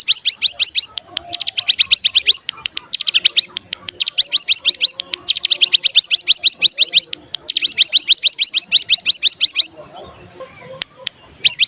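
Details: Decoy recording of the cigun, the mountain ciblek, used to prompt singing and trilling in other birds. Repeated bouts of rapid, rising high chirps, some long and unbroken, with brief pauses and a faint sustained tone.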